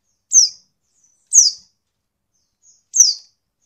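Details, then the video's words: Oriental white-eye female giving calls meant to prompt males to sing as in the wild; three piercing, high-pitched downslurred notes at irregular intervals of about one to one and a half seconds, clean and quiet between. "pleci betina untuk merangsang bunyi pleci bahan"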